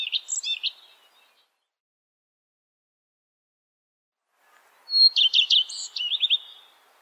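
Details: Common Redstart singing: the tail of one phrase of quick jangling notes, a silent gap of several seconds, then a new phrase of a pure whistle followed by rapid buzzy trills and a high flourish.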